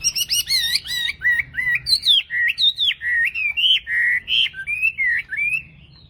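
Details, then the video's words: Tame Chinese hwamei singing at dawn in a competitive singing contest: rich, loud whistled phrases that slur up and down, quick warbled notes at first, then a run of rising and falling whistles roughly every half second. "Hót đấu cực sung ! Họa mi thuần chào bình mình"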